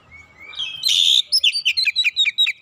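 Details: Oriental magpie-robin song used as training material for other birds: a rising whistle, a loud harsh burst, then a rapid series of about nine short, sharp, high notes.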